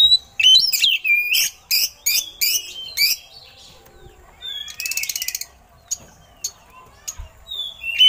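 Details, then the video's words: Oriental magpie-robin with eagle-call imitations, used as a tutor recording: loud repeated rasping bursts with slurred whistles, then a mechanical-sounding rattling trill and sparse high whistled notes. "Suara Burung Kacer Isian Elang || Pas Buat Masteran"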